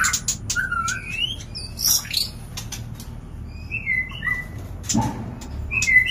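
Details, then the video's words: Mating call of a white-rumped shama as a breeding lure: scattered whistled upslurs and short chips with quiet gaps, plus one low thump. "Pancingan Suara Murai Batu Kawin"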